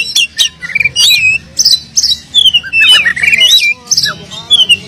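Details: Oriental magpie-robin delivering an energetic song full of mimicked fillers, meant to prompt silent magpie-robins to sing: bursts of clear rising and falling whistles mixed with sharp chips and short trills, with brief pauses between phrases and a faint low hum beneath.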